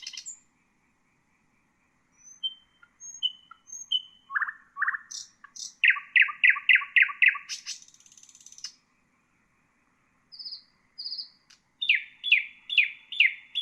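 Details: Common nightingale song, used to tutor bulbuls and other songbirds: varied phrases of thin high whistles, rapid repeated chirps in runs of five or six, a buzzy burst, then clipped notes repeated about every half second.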